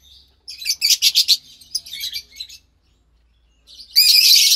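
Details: Two lovebird chicks from white pastel violet and pastel mauve parents, March 3rd, 2021; a pulsing run of raspy chirps, quieter chatter, a pause, then a sustained loud hissing squawk.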